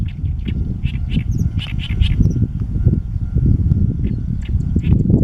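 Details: Territorial song of a male great reed warbler on his song-post at the Heijō Palace site in Nara, Japan, mid-May 2013: grating, croaky notes delivered in short bursts, with heavy low wind noise throughout.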